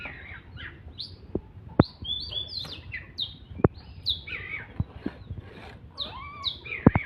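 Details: Oriental magpie-robin singing hard during a fight: varied whistled phrases, rising and falling slurs, interrupted by several sharp clicks against a constant low noise floor.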